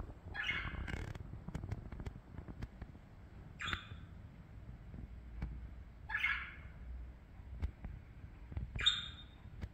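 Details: Pet parakeets at play: four harsh, raspy squawks spread over about nine seconds, each short and scratchy, with scattered clicks and taps between them and a low background hum.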